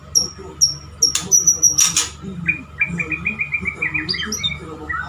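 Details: Male white-rumped shama, a kept pet bird, singing to court a female: high clear whistled notes with sharp bursts, then a quick run of shorter lower chirps repeated about three per second, over a steady faint hum.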